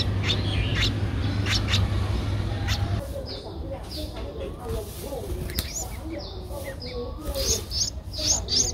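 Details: Nestling Streak-eared bulbul, 11 days old, recorded 13 April 2023 in Ubon Ratchathani, Thailand: scattered high notes early, then a later cluster of short rising chirps over low rustling noise.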